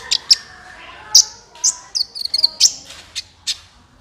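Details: Sunbird, named kolibri ninja, calling as a trapping lure: scattered sharp high chips and short twittering notes over faint background hiss, about eight notes in four seconds.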